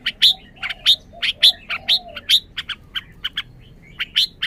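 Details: Loud, crisp chip notes from a caged red-whiskered bulbul, possibly excited, come singly and in pairs at uneven intervals, some with a faint lower burr beneath.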